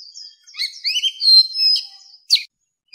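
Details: Old wild Oriental magpie-robin singing, used as a lure call: a varied run of clear, high whistles and slurred notes, ending with a sharp, buzzy burst.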